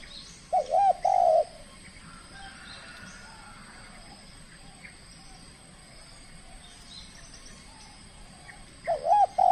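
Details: Spotted dove from Kepri, Indonesia, a trained bird in its first contest bout: a short burst of three mellow, hollow coos, a long quiet stretch with low hiss and faint chirps, then another cluster of coos at the end.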